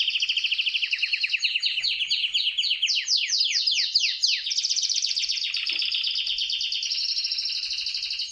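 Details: Canary singing to court the female: rapid descending high whistled notes in quick runs, then a steady, fast, buzzy trill held to the end.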